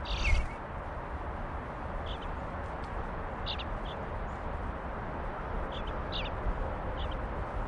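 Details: Eastern bluebird fledglings just before fledging: short, high chirps scattered across the recording, some in quick pairs, over a constant low rumble of background noise.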